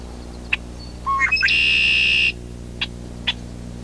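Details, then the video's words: A Red-winged Blackbird gives a few short rising notes, then a long, even, buzzy trill held for almost a second, with scattered sharp chip notes around it. "Red winged blackbird"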